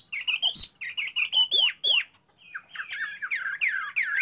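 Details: Caged Chinese hwamei singing: clear sliding whistles repeated in quick groups, loud down-curving notes, a short pause, then a chain of descending slurred whistles.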